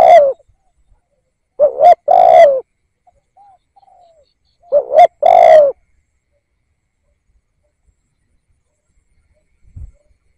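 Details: Spotted dove kept as a decoy bird, used to rouse other doves into calling: low, mellow coos in short groups, a brief opening note and then a longer rolling coo, three groups a few seconds apart, then silence.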